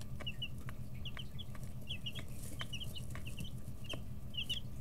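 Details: Chicks 11-13 days old in a brooder, pecking and stretching as wing and tail feathers grow in, give short high peeps in quick pairs and runs over a steady low hum, with sharp tapping clicks from pecking.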